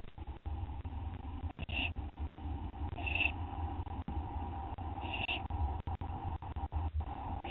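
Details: Owl feeding on a gopher at night, 2:56 AM, 10 September 2011, watched by a live camera; three brief raspy high-pitched bursts spaced a few seconds apart, set against constant low humming and scattered clicking noise.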